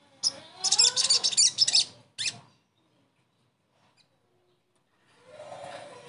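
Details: Crested jay, used as a therapy sound to get a silent bird singing again. A harsh, buzzy, rattling burst lasts under two seconds, followed by a short second rattle, then silence and a faint rustling.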